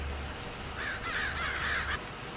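A crow gives a harsh, hoarse caw lasting about a second, wavering in pitch, over a low background rumble.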